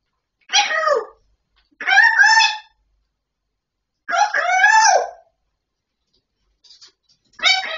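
A grey parrot talks in four short, harmonic, speech-like bursts about a second long, separated by pauses of one to two seconds, in a quiet room.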